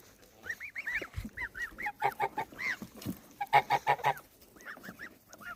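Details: Goslings honking repeatedly: short, nasal, arched notes in irregular bursts throughout, several rapid runs of four or five, with some low thumps and handling noise in the background.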